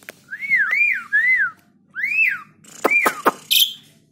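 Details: Tame caged Asian pied starling in full chatty song, kept to draw other birds into singing: clear looping whistled notes rising and falling in arcs, followed by sharp clicks and a harsh buzzy note.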